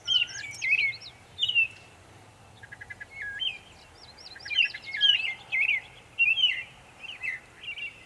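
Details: A Northern mockingbird in Savannah, New York, in May 2021 runs through a varied song of sharp chirps, zigzag whistles and a quick series of short clicks, each motif repeated two or three times before switching.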